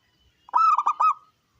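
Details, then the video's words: Local zebra dove from the wild with a loud voice, used to coax other doves into singing. A single clear phrase of rapid, throbbing, mellow coo notes rolls along and ends abruptly in silence. "Perkutut lokal gacor || Masteran Perkutut Lokal Gacor Suara Besar"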